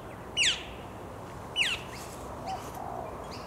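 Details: A male Australasian Figbird in Hawthorne Canal Reserve, a recreation area in Sydney, NSW, in late July 2017 gives two sharp, downslurred chirps about a second apart, then a fainter third note, over a quiet outdoor background.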